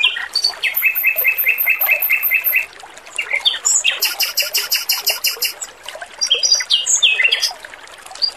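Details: A male robin sings loudly and clearly in a training recording, with rows of rapidly repeated, evenly spaced chirps, high tinkling trills and sudden note changes. Running water trickles throughout.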